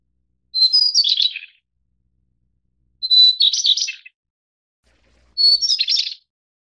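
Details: A White-browed Shortwing of the Taiwan-endemic subspecies goodfellowi, from Taiwan's mid-to-high mountains, gives three high phrases of about one second each. Each opens on a thin steady note that breaks into a quick jumble, roughly every 2.5 seconds.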